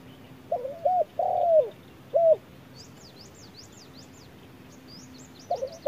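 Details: Spotted dove facing a wild rival in hot midday sun: a group of short and drawn-out falling coos, then a quiet stretch filled by thin high chirps from a small bird, and coos return at the end.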